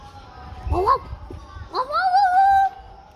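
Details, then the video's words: Pet African grey parrot barking like a dog: a short rising yelp, then a longer bark that climbs and holds as a nasal whine, over a low hum. "African grey Parrot barking"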